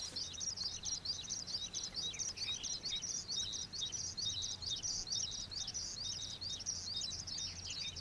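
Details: Juvenile common waxbills at Pingtung's old iron bridge wetland in Taiwan, an introduced species from escaped cage birds, give a rapid, even chatter of tiny high chips, roughly two per second per caller, layered densely.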